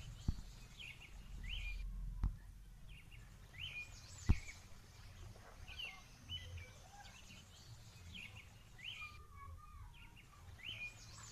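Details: Tame house sparrows feeding on grass in a home patio give sharp chirps, scattered and overlapping through the scene, with a few loud knocks and low rumbling background noise.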